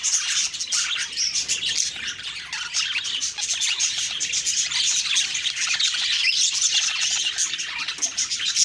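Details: Budgerigars chirping in the morning: a dense, continuous wall of high warbling chatter and sharp chirps from many birds, steady throughout with no pauses.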